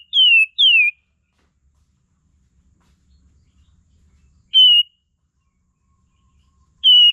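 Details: Sooty-headed bulbul (kapas tembak) lure song for training songbirds: clear, loud, down-slurred whistles, first a quick pair, then single notes after long pauses of about three seconds; otherwise quiet.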